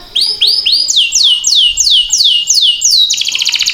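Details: Canary song used to stimulate other canaries to sing: a loud series of sweeping downslurred whistles, about three per second, ending in a fast buzzy trill.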